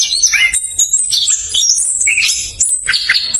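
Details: Chestnut-capped thrush singing a quick rolling phrase to lure reluctant birds; high, thin whistles and chirps packed closely together with barely any gaps.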